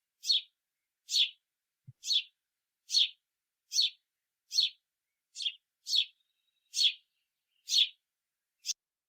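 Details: A house sparrow gives its distinctive call, a steady series of harsh chirps about one every 0.8 seconds, with one faint low thump.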